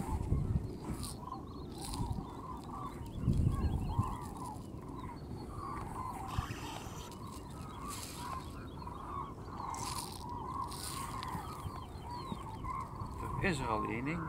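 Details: Common cranes on massive spring migration over Strabrechtse heide, 5 March 2013: a dense chorus of rolling trumpeted calls from many birds overhead, with fine high twittering above, low wind rumble and bursts of handling noise.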